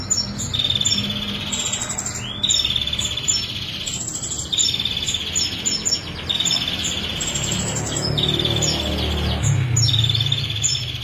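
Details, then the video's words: Female prinia, 'kristal' type, in a 'nembak' song. Bursts of buzzy, metallic trills are punctuated by rapid sharp ticks. Brief gaps separate the phrases. Faint low rumble behind. "Masteran Prenjak Betina Kristal Nembak 22 Detik Tanpa Jeda"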